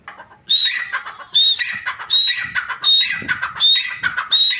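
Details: A tame wild-caught grey francolin gives loud, harsh, high-pitched phrases, about six in quick succession, each under a second apart. Faint rustling in the background.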